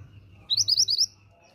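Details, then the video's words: Short sharp burst of about five quick, high, slightly trilled notes from a female pied bushchat calling to provoke males into answering; faint low hum. "BURUNG MANTENAN GUNUNG BETINA GACOR UNTUK TARIK RESPON BUNYI MANTENAN JANTAN"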